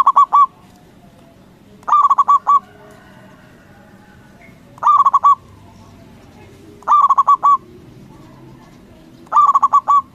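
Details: Zebra dove of a local strain, loud-voiced, used to lure other doves into replying: five stuttering bursts of fast cooing pulses, each under a second, repeated every two to three seconds over faint background noise.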